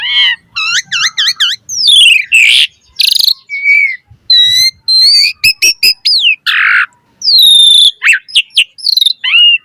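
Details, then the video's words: Varied chattering song from an Asian pied starling: a fast series of looping whistled notes, harsh scratchy bursts, sharp clicks and rising whistles, with no other sound. "Suara Jalak Suren Gacor Full Variasi Materi Ocehan - Pancingan Burung Jalak Gacor Full Isian Mewah"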